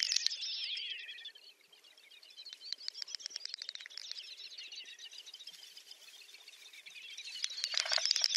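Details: Great Snipe at the lek, Ryazan oblast, Russia, April 2019: a loud opening twitter that slides downward, then quieter fast clicking with wavering warbles, rising again to loud bubbling notes at the end.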